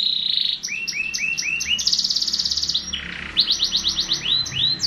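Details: Continuous canary song made of quick repeated descending notes in short runs, a sustained buzzy trill, then rolling rising and falling phrases, all high-pitched and bright.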